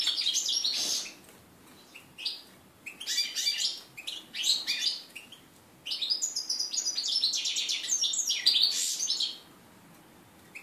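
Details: Mule hybrid between red-breasted flycatcher and canary, hatched 2013, in its first song since moulting, January 2014: rapid high twittering and chirping phrases in several bursts separated by brief silences, indoors.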